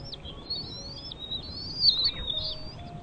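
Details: Bald eagle at its nest with chicks gives a thin, drawn-out whistled trill with slurred high notes, peaking briefly louder near the end.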